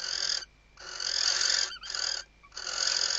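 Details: At a webcam nest in the Ebro Delta, Spain, during the 2023 season, a female western barn owl stuffs the nest and calls the male with drawn-out rasping hisses, three long bursts and a short broken one.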